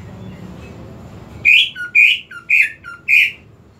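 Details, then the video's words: Greater green leafbird starting after a hum-filled pause with four loud, rasping notes roughly every half second, each trailed by a short lower whistle. "PANCINGAN UNTUK CUCAK IJO TAK KUNJUNG BERKICAU"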